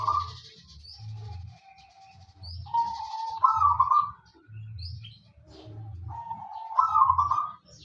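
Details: Local wild-type zebra dove (perkutut), kept in a cage and singing steadily, used as a lure to prompt other doves to sound: mellow trilled cooing phrases recur every few seconds over a low background hum.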